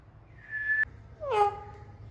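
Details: A steady level whistle that stops abruptly comes from Alexandrine parakeets talking and playing, then a rich harmonic call that dips and holds its pitch, over quiet hum.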